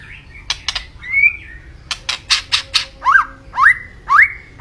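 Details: Lively white-rumped shama song, a gacor singer: a few harsh, buzzy rasping notes first, then three clear rising whistles spaced about half a second apart, loud and ringing against a quiet background.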